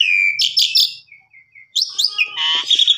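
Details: Master song for canaries from an Asian pied starling: harsh buzzy bursts over a steady whistle, a few soft fading notes, a brief pause, then sharp rising whistles and a dense scratchy warble.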